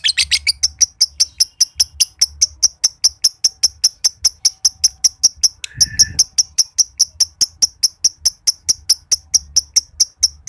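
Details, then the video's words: Green josan lovebird from Mojokerto, noted for a long ngekek trill: a short opening chatter followed by a long run of sharp, high, evenly repeated clicking notes, with a brief whistle midway. "LOVEBIRD JOSAN NGEKEK PANJANG BIKIN BURUNG IKUTAN NGEKEK"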